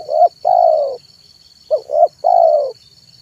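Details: Spotted dove cooing in the afternoon, used as a lure for wild doves: low mellow coos in two phrases, a short note then a longer drawn-out one, with a faint steady high tone behind.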